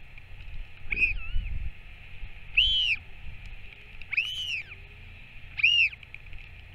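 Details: During a feeding visit by a returning Northern royal albatross parent on 21 May 2024, four clear arched whistles rise and fall, irregularly spaced, with a steady low hum beneath.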